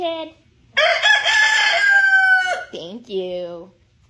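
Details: Rooster giving an unusual, funny crow: one long, strained, harmonic-rich note held for about two seconds, then two shorter rising, nasal squawks. A brief lower call comes before it. No background noise.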